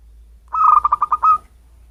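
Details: Local zebra dove from natural habitat, its call used to attract birds: one short string of about seven soft, rapid coos at steady pitch, the final note longer and slightly rising, over faint low hum.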